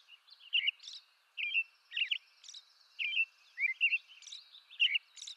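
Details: An American robin (Turdus migratorius) sings short, clear caroling phrases, each under a second, in a steady run, mixed with thin high squeaky notes over a faint hiss.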